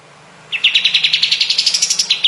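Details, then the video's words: Kapas tembak bulbul singing for a training recording meant for cendet, cucak ijo, murai and other songbirds: a rapid run of bright, high chirps about seven per second, rising slightly, ending in two emphatic notes. "Masteran burung kapas tembak"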